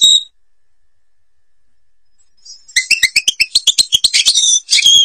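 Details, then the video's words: Algerian European goldfinch in the Babas forest: a short high note, a long silence, then a burst of quick repeated chirps and twitters, about four per second, ending in buzzy trills. "canto jilguero argelia"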